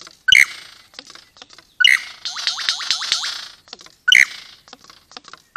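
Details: A male superb lyrebird mating with a female on a property gives loud, ringing notes every two seconds or so, with a quick run of six falling whistles and scattered clicks between them. These are the male's own sounds, not mimicry.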